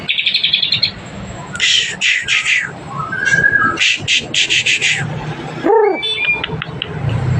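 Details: Courting magpie-robin in breeding condition: varied phrases mixing buzzy, harsh bursts, repeated rapid notes and clear sliding whistles, separated by short pauses.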